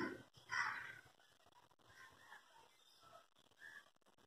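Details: An uncommon, secretive little heron gathers nest twigs in a tree beside a window and gives one short, harsh, rasping call near the start, followed by faint scattered rustles and distant soft sounds.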